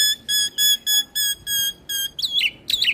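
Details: Javan pied starling, the white starling, in head-bobbing full song meant to agitate other starlings: seven steady flat whistled tones, evenly spaced, followed by two harsh rising chattering bursts.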